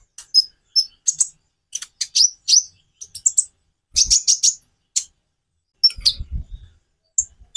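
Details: Konin, or purple-throated sunbird, singing song variations meant to set other birds singing: sharp, very high chirps and squeaky trills in irregular clusters, with soft low knocks near the end.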